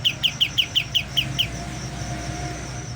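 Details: A young white-eye beginning to learn its song. Eight quick, bright, clipped notes are spaced evenly over about a second and a half, then stop, leaving a faint high tone and a low droning hum.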